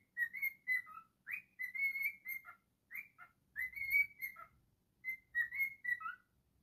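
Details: Cockatiel singing: clear whistled phrases, some rising and some falling, in bursts of three to five notes separated by short pauses, with a few lower dipping whistles ending phrases.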